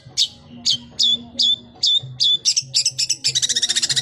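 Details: Long-tailed shrike singing vigorously, with a varied mimicked repertoire: sharp high repeated chirps about twice a second, speeding into a rapid, harsh chattering series, over faint low hum.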